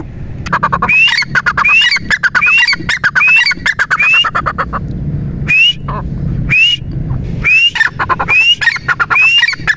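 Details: Repeated partridge phrases known as teetar ki awaaz: bursts of rasping, clucking notes, each tied to a sharp rising whistle, about ten whistles over the stretch with a short pause midway, low background hum.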